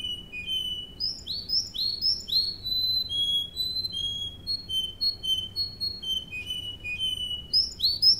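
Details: Russian canary (Serinus canaria) song for training: sweeping whistled notes, rolling phrases and repeated tones, bright and melodious with no other sounds.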